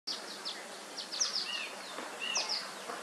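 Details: Violet-green Swallow fledglings give thin, high chirps and short downslurred twitters in quick, irregular bursts over a steady hissing buzz; recorded 4 July 2021 in Lane County, Oregon.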